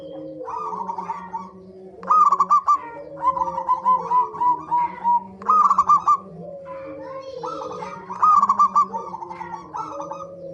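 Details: Zebra dove lure song to make birds sing keenly: repeated loud trains of quick pulsed coos every two to three seconds, with overlapping softer calls and a continuous low humming background.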